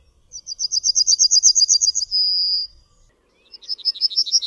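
Yellowhammer song: a quick, high series of about a dozen thin, even notes ending in one drawn-out note, then the rapid series starts again.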